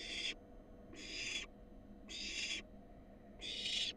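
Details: Wild barn owl fledgling, nest box, fed a rat: four softer, breathy rasping hisses at regular intervals over four seconds, with long silences between them.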